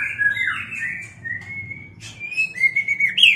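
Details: White-rumped shama singing while mating: long, smooth whistled glides with some twisting slurs, a sharp click in the middle, and a rising whistle at the end, over a low hum.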